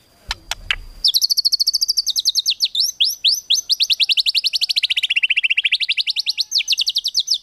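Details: White-rumped shama in the tembakan filler style for competition birds: after a few clicks, a long unbroken stream of rapid high chattering notes that dips lower in pitch midway, then rises again.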